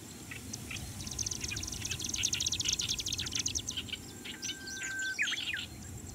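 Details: A perched male Marsh Grassbird in Chiba on 2 July 2017 sings, apparently attentive to a nearby rival: a fast, dry run of high clicks, then quick whistled phrases, over a low rumble, with other birds singing around.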